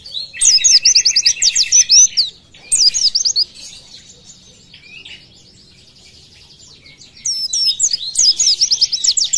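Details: Oriental white-eye 'tembakan' song for training other birds (masteran): loud rapid runs of high whistled sweeps over a buzzy lower trill, a quieter rambling twitter in the middle, then another fast volley.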